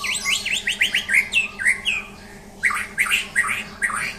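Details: Champion white-rumped shama during a mental test, singing a fast run of loud, slurred whistled notes rising and falling, then a brief pause and a second burst of rich, warbling phrases; a steady low electrical hum underneath.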